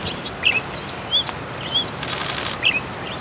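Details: Bright-headed cisticola calling: short thin sharp notes, some bending downward, given singly about every half second to second, over steady loud outdoor background noise.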